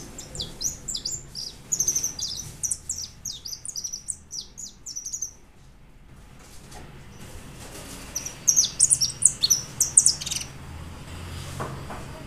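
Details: White European goldfinch, recorded in 2013, singing rapid high twittering phrases of sharp chirps and short buzzy notes for about five seconds, pausing, then bursting into another brief run; faint low hum underneath.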